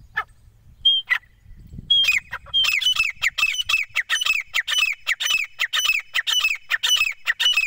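Grey francolin calling in a fast run of loud, shrill, squeaky notes, about three per second, after a few separate whistled notes.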